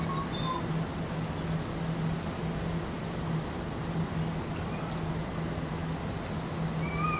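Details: Thousands of migrating Vaux's swifts in fall, 7,000 to 7,500 counted, gathering to roost in a chimney on the University of Oregon campus, Eugene, Oregon; a dense, continuous high chittering, with a steady low hum beneath.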